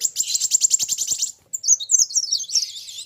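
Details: Sunbird, locally called kolibri wulung, in a singing match with a rival: a fast, buzzy run of repeated high notes, a short pause, then squeaky, tumbling warbled twitters.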